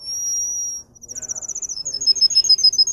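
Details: Russian canary, a domestic breed bred for singing: one long, steady high whistle, then a rapid, even trill of sharp notes that speeds into clipped, repeated high pulses.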